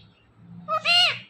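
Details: Talking pet parrot, five years old, producing a brief two-part spoken word, the first part short and the second drawn out and rich in overtones, over a faint low indoor hum.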